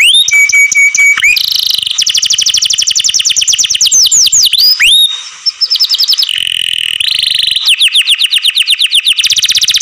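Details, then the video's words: Canary in care singing loudly: a held whistled tone, rapid sweeping trills, curved upslurred notes, a buzzy rattle, then more quick repeated sweeps. "DANGER ! THE MONEY OF THIS CANARI MAKES EARS ache"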